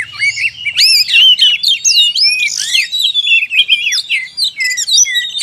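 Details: Oriental magpie-robin song used as a lure to draw wild birds closer in the forest: loud, rich run of whistled swoops, slurred up-and-down notes and sharp chirps, continuous and varied.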